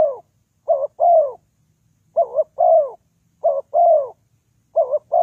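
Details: Lure recording of a spotted dove for trapping: mellow coo phrases, each a quick two-part wavering note then a longer falling coo, repeated about four times with short pauses between them and no background noise.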